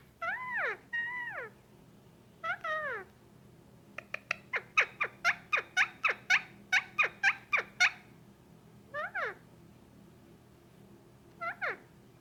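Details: Pet male Indian ringneck parakeet about a year and a half old, making noises while being petted by its owner: drawn-out falling squawks, then a rapid run of sharp clicking chatter notes, then more scattered squawks.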